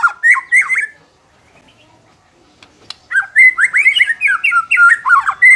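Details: White-rumped shama song, used to make an unmotivated bird more combative: a brief whistled burst, about two seconds of near silence with a couple of clicks, then a fast, varied stream of bright whistles and chattering notes.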